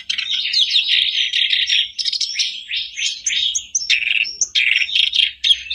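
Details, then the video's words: Sooty-headed bulbul song meant to set off a caged bird singing: dense scratchy chatter and buzzy trills, steady and loud, with occasional thin high whistles. "Buat pancingan harian kerak basi macet pasti langsung on,bikin kerbasmu gacor"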